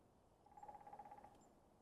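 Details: Wild woodpecker drumming close by outdoors, apparently on a dead, hollow tree: one quick roll of about fourteen evenly spaced, resonant knocks lasting under a second, faint against quiet background hiss.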